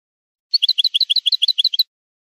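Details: Goldfinch song for tutoring young songbirds: a quick run of about sixteen crisp, high two-tone chirps, evenly spaced at roughly seven per second, lasting over a second, then silence.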